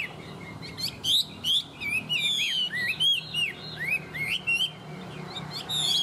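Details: Caged, tame Chinese hwamei in strong song, pouring out varied whistled notes that swoop up and down, interspersed with quick sharp chips, in short bursts separated by brief gaps; steady low background hum.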